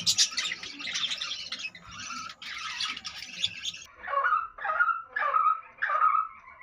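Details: Budgerigars in a colony with about 25 young: loud scratchy high chatter for several seconds, then four separate lower, rough repeated calls roughly every half second.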